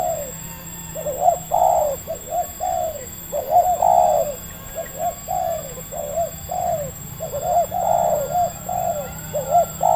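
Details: Local tekukur, a red turtle dove with a medium voice, quickly drawn in by a lure in Indonesia; repeated low cooing phrases, each a few rolling notes, coming in steady bursts over constant background hum.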